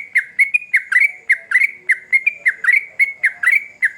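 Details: Yellow-vented bulbul, lively lure song: fast chattering string of bubbly, warbling notes, some dipping sharply then rising, delivered nearly twice a second without a break.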